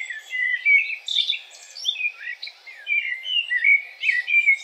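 A common blackbird gives a steady run of mellow, fluty warbled phrases, mid-pitched and varied, with brief squeaky flourishes between them.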